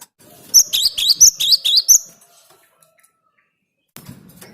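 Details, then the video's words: Cinereous tit singing a lure song: a rapid run of about eight bright, high notes, each one a sharp downward-sweeping chirp, repeated in under one and a half seconds, then near silence with a soft rustle near the end. "Suara Gelatik Batu ini Ampuh buat Pikat"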